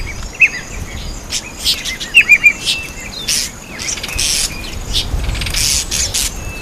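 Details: At a birdbath, a red-faced mousebird gives a single short chirp, then a fast trio of clipped whistled notes midway. Broad noisy bursts and a steady high insect hiss surround the calls.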